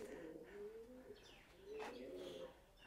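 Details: Several pigeons cooing together up inside Prasat Phimai, an 11th-century Khmer temple in Phimai Historical Park, Nakhon Ratchasima, Thailand, in 2023. Low, soft, rolling coos overlap and echo loudly in the stone interior.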